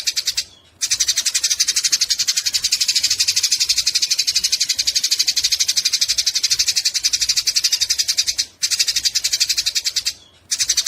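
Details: Sparrow fight chatter from Eurasian tree sparrows, meant as tutor sound for songbirds: intense high chirping bursts in quick succession, separated by a few brief silent gaps.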